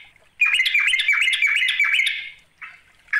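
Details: Fast bubbly chatter from a yellow-vented bulbul calling a rival, nearly two seconds of quick ticking notes over a steady buzzy tone, then a faint short note.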